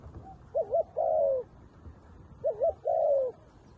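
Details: Decoy dove luring wild doves down, cooing twice in quick succession. Each phrase is a bouncing two-part warble and then a drawn-out, slightly falling, mellow coo. The background is quiet.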